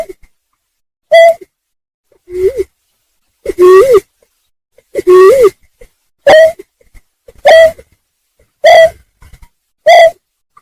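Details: Greater painted-snipe call used as a lure for trapping: low, hollow, owl-like hoots about once a second, some steady and some swelling upward, over a faint background hum.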